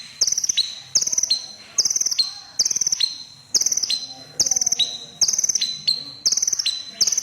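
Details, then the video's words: Crimson sunbird, called kolibri ninja, with a red breast, in full voice: rapid high-pitched trilled phrases, each ending in a lower tick, repeated nine times in quick succession. "Burung KONIN Kolibri Ninja DAMER Dada Merah Gacor || CHIRPING SOUND ||"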